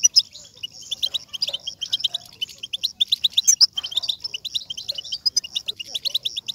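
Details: European goldfinch batbata, a chatter to stimulate singing: lively bursts of quick, high-pitched chirps over a continuous tinkling trill, densest in the middle and closing with a fast run of notes.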